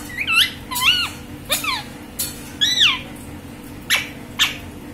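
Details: Green parrot producing looping, swooping whistled calls that rise and fall, followed by two short sharp squawks, with a low steady hum behind.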